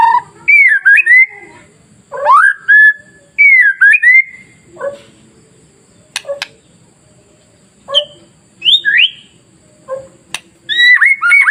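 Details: White-rumped shama song meant to stir other shamas into singing: varied whistled phrases, rising and falling slurs, separated by sharp clicks and short pauses across the stretch.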